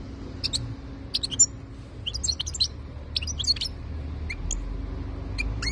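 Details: European goldfinch of the type called khalawi, recorded in 2022, giving scattered high, sharp chirps and short twittered notes with pauses between them, over a low steady background hum.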